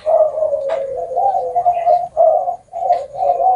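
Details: Spotted dove song with a long ending of nine to ten or more notes; loud, low, hollow coos sound in two phrases split by a brief pause.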